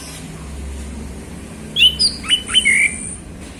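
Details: Male orange-headed thrush singing relaxed 'ngeplong' afternoon song for prompting other birds: a quick run of five sharp whistled notes, some dropping and some rising, ending in a longer level whistle, after quiet background hum.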